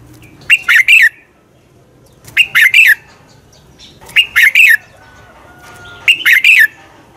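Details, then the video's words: Red-whiskered bulbul singing a fighting song meant for training birds and stirring them to sing; four bursts of bright, slurred three-note phrases, repeated about every two seconds, with faint background hum. "luyện chào mào căng lửa, chào mào hót đấu"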